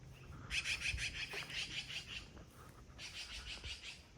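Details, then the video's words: Blue Jays, seemingly yelling at a person walking among outbuildings of a rural property of a couple acres, give harsh, raspy jeers in two bursts, each a rapid grating run over a second long; faint background rumble. "Sounds like Blue Jays"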